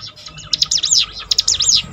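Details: Bar-winged prinia song used as training audio to rouse a downhearted bird: two bursts of high, rapid notes, each burst a run of sharp rising-and-falling strokes, with a low hum underneath.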